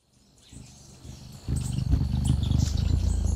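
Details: Hummingbird recorded at a feeder set on top of a surround microphone: a low, throbbing wing hum swells as it comes close, with faint high chips in the background.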